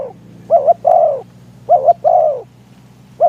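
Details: Spotted dove used as a decoy to attract wild doves on a windy day. Two phrases and the start of a third: a short two-part coo, then a fuller drawn-out coo that sinks in pitch.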